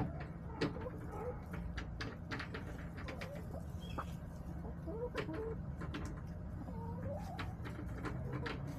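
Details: Backyard chickens clucking in short wavering notes at intervals, mixed with pecking clicks, scratching and a steady low mechanical hum.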